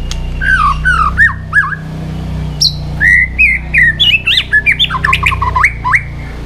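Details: White-rumped shama in competitive singing with many voices: a varied string of whistled, looping phrases, some swooping high, others quick chattering notes, over a steady low hum.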